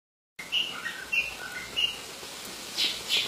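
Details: Long-tailed shrike of the Madura type singing energetically: a string of short chirping and whistled notes, some sharp and some slurred, given in quick irregular bursts over light hiss.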